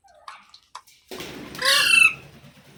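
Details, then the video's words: Talking parrot indoors: faint small squeaks, then a burst of rustling noise and a loud, harsh, prolonged squawk with a buzzy texture. "Parrot Sounds Videos Compilation | Mitthu Ki Awaaz"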